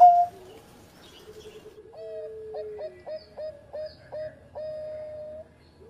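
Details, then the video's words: Former champion zebra dove in engkel style: after a loud opening note, long falling low coos lead into a steady run of about eight short stuttered notes ending in a held tone. "Mantan Juara Suara Engkel Sari Cengkok Irama Merdu"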